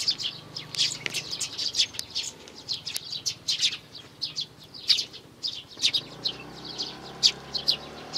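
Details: Sparrow nestlings, three of them, on 12 May 2019: busy overlapping high chirps in quick bursts, steady throughout, with a faint low hum at times.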